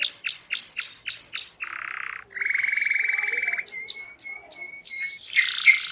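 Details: Canary singing energetically, used to get other canaries to answer. Quick descending chips repeat at the start, then dense buzzy rolls, then a run of short sharp whistled notes ending in a rich warble.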